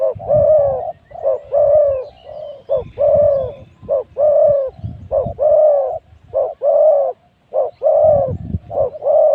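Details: Decoy spotted dove calling while luring wild spotted doves at spot 136: a steady run of deep, hollow coos, short notes alternating with longer drawn-out ones, repeated almost every second with brief gaps.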